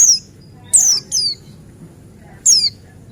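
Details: Lure song of a male Buxtoni white-eye meant to set other white-eyes singing: four piercing high whistles, each sliding downward, in an irregular pair-and-gap rhythm, with a quiet low background rumble.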